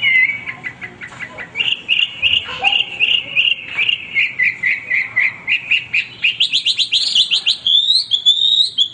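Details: Hwamei singing continuously, offered as master song material: quick stuttering notes lead into a long series of repeated slurred whistles, closing with higher, sharper trilled phrases.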